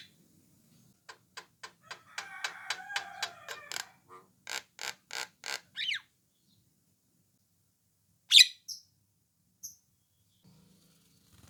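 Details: Javan myna, orange-eyed form, calling to draw answers from other mynas. Evenly spaced clicks and grating chatter lead into a burst of harsh notes, a downslurred squeal and later one loud sharp note and fainter echoes.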